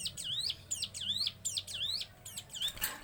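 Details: Short burst of hill prinia song called the sewing-machine version: bright, high notes sweeping down and up, delivered in quick succession, ending with a brief rustle or flutter.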